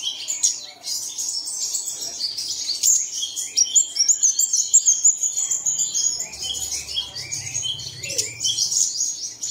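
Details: High, busy twittering from many small birds, played at dawn to coax caged birds into song; sharp repeated chirps come in quick succession over a constant thin, shrill background chatter.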